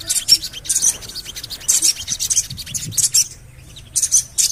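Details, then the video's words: Javan cochoa, used as a lure to set birds singing, gives clustered bursts of high, harsh chatter in quick runs, separated by short pauses. "CUIT...CUIT...CUIT PANGGILAN SOGON AGAR BUNYI"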